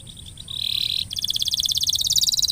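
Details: Canary lure song to prompt a silent canary to sing: a high steady whistled tone breaking into a fast, even rolling trill of bead-like notes that grows louder, with faint background hiss.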